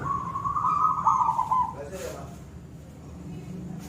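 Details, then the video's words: Zebra dove, silver variety, giving one long rattling, trilled coo in the koong song style, followed by a brief faint voice-like sound and quiet low hum. "perkutut silver gacor suara koong"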